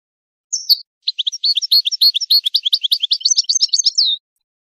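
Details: Goldfinch song for training and stimulating mating in breeding birds. A brief high note opens it, then after a short pause comes a fast, tinkling string of bright chirps and trills that closes on a falling slurred tone. The recording is clean and quiet.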